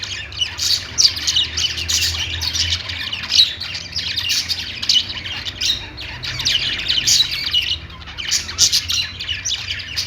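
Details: Several pet budgies chirp and squawk almost without pause, a bright, rapid jumble of twittering notes with brief dips in loudness, over a soft low hum in the background.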